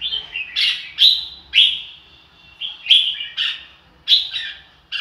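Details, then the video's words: Red-whiskered bulbul song of loud, sharp whistled notes that slide downward, sometimes paired, given in bursts roughly every half second with brief pauses. "chào mào ro kích bổi sung theo"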